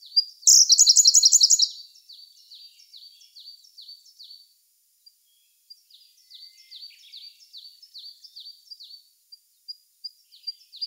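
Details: May 2021 recording of a Siberian blue robin: a loud, rapid, high rattling trill opens, then a long run of softer, repeated downslurred high notes with brief pauses.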